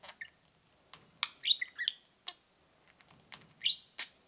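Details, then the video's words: Two pet budgerigars giving soft, scattered peeps and a few short warbled chirps, quiet between notes, with a brighter cluster of cheeps in the middle and near the end. "Kiwi and Pixel peeping and cheeping"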